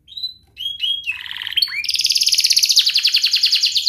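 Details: Song of a canary, meant for training young canaries: a few soft whistles and short rising notes, then a long, loud, fast rattling trill.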